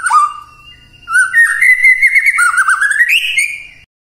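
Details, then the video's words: White-rumped shama morning lure song meant to make quiet shamas answer: a short falling whistle, then a long warbled run of rich, wavering whistles climbing higher at the end. "Pancingan PAGI-PAGI AGAR MURAI GACOR❗ murai diam pasti ikut NYAUT EMOSI❗❗"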